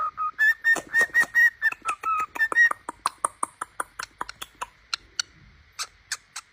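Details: Pet cockatiel singing: several whistled notes repeated quickly at the start, then a string of short clicking, chattering notes that fade toward the end.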